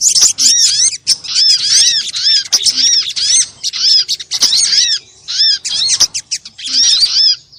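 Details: Noisy crimson sunbird calls used as a lure for birds and to make them sing; a long series of high, arched, harmonic chirps delivered in quick bursts with short pauses.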